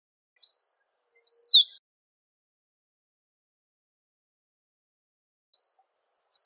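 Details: Great pampa finch calling and singing a lot in nature: a thin rising upslur, then a loud, sharply falling whistled slur from very high to mid pitch. The phrase repeats about five seconds later and is cut off at the end. Silent background.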